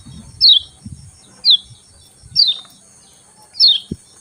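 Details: Four separate sharp, high, quickly descending ciak chirps, about one per second, from a Lemon-bellied white-eye in the morning, with low knocking sounds between them.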